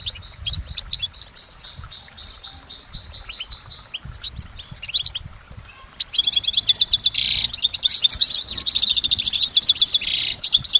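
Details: Goldfinch singing in nature, starting with softer, distant-sounding twitters and clicks, then bursting into loud, fast, sustained twittering with tinkling trills and wheezy rasping notes that runs on without interruption.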